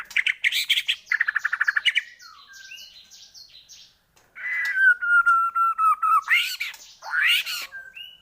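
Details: Shama song played as a lure to set other shamas singing: fast stuttering trills open the phrase, soft ticking notes follow, then a long descending whistle broken into pulses and a loud rising flourish.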